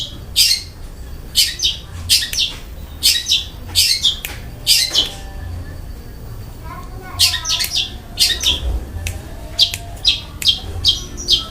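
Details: Long-tailed shrike giving harsh kasaran fill in its gacor song: loud rasping broadband bursts in irregular clusters, with a brief lower warbled passage midway.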